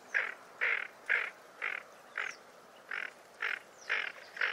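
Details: Tufted duck giving a steady run of nine short, gruff, rasping calls, about two each second, evenly spaced against a quiet background.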